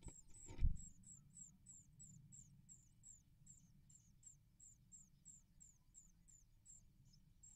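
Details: Great tit at a nest in 2024, where both parents feed the nestlings: thin, very high notes repeat steadily, about three a second, over a low rumble, with one dull knock near the start.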